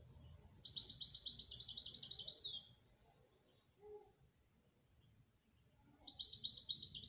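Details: Canary delivering a fast, bright rolling trill for about two seconds, then falling silent, and starting another quick high trill near the end; quiet background hum.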